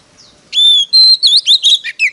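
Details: Oriental magpie-robin, a cage bird singing in competition, opens with a long pure whistle, followed by a rapid series of short, looping, up-and-down whistled notes.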